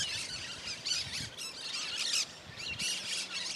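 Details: Wild Cactus parakeet calling freely in the Bahia sertão, Brazil: a series of rasping, noisy squawk bursts, each about a third of a second, spaced by brief gaps, with faint low background hum.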